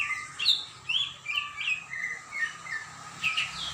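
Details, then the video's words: Energetic greater green leafbird song from 21 December 2024, made of chirpy, high whistled notes that jump between pitches, delivered in quick uneven bursts about two or three per second over a faint low hum. "Burung cucak ijo gacor"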